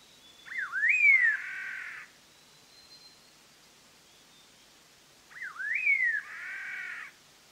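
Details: Black-hooded laughingthrush, endemic to Vietnam's southern highlands, singing for a trapping file: a quick dip and upward slur into a full, descending whistled phrase with a rich tone, repeated after about five seconds of quiet.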